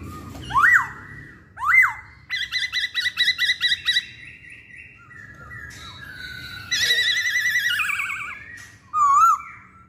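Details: Masked laughingthrush song made of two upswept whistles, a rapid stuttering run of ringing notes, then a long wavering, warbled phrase and a final sharp rising whistle.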